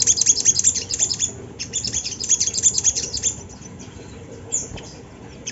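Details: Sunda laughingthrush song used as a lure to make young birds sing: rapid, high, thin chirps and short downslurred notes, about two or three a second, clustered in the first half and thinning out later.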